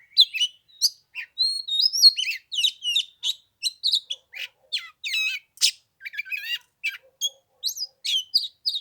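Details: Loud, nonstop song from an oriental magpie-robin in 15-degree cold on the third day of Tet: dense sharp chips, slurred whistles and scratchy trills packed closely together, with no pauses.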